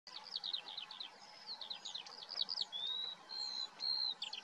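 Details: Common starling delivering a varied run of short chirps, clicks and rapid trills, followed by drawn-out pure whistles held steady near the top of its range, with a faint steady hum beneath.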